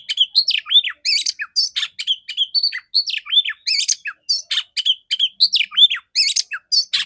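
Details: Female Oriental magpie-robin with a clear voice, a morning lure meant to stimulate males, delivering a continuous fast stream of high whistles, downward-swooping slurs and scratchy chatter.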